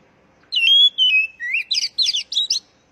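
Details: Oriental magpie-robin singing, used to prompt caged birds to sing. Long, level, pure whistles step downward, then a rising slur leads into four rapid bursts of jumbled, scratchy high notes. The background is quiet.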